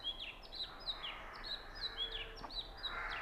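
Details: Oriental magpie-robin song from Punnad, Iritty, recorded on a Nikon Coolpix B600: clear, high whistled notes, each sliding downward, repeated about every half second in a lively, even series.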